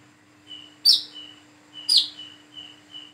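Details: A Brown-throated sunbird learning its call gives sharp, high, downslurred 'wiceh' notes about once a second between thin steady whistles, over a low constant electrical hum.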